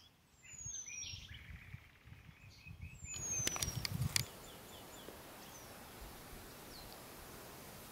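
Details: Eurasian penduline tit at the Valchico stream, Madrid, Spain, on 15 May 2021. Two thin, high descending whistles sound about three seconds apart. Rustling, footsteps and clicks are heard amid steady outdoor background noise.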